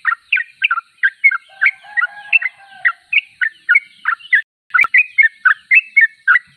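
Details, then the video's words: Sooty-headed bulbul pouring out bright, gurgling two-tone notes in quick succession. A faint, low, drawn-out whistle runs beneath the song early on. "Trucuk termewah suaranya paling di cari"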